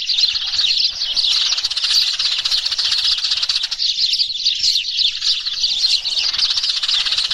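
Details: Flock-gathering calls of sparrows used as a lure: many birds chirping at once in a thick, steady wall of high, sharp tweets with rapid trills mixed in.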